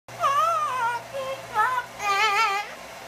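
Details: Pet yellow-naped amazon hatched in 1987, indoors with a blow dryer running, gives three loud wavering whistled notes, each rich in overtones and sliding up and down, with brief pauses between, over a steady low hum.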